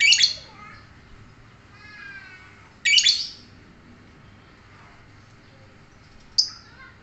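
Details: Lovebird giving three short, harsh, high squawks spaced a few seconds apart, with a soft, rising, wavering note between the first two and quiet pauses around them.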